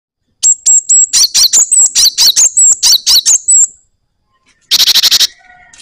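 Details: Java sparrow singing vigorously in a rolling style: a run of high whistled notes with fast buzzy chips repeated about twice a second, a pause, then a short burst of rapid rattling chips.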